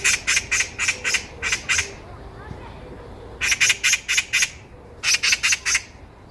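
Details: Loud Eurasian magpie met on a walk, chattering in three rattling runs of dry, harsh notes, about seven, then five, then four, separated by short pauses.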